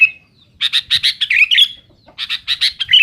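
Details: Sooty-headed bulbul calling noisily to challenge rivals. A thin whistle comes first, then a burst of rapid rasping notes that runs into a rolling upslurred warble. After a short silence a second harsh, buzzy series follows.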